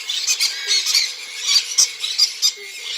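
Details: Three-week-old cockatiel hatchlings being hand-fed give harsh, raspy, hissing squawks in quick bursts, several a second, with no other sounds.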